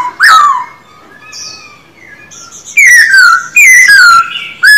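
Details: Silver-eared laughingthrush, a cage bird in daily song training, giving loud clear whistled phrases that rise then slide downward, with a few quieter notes between bursts.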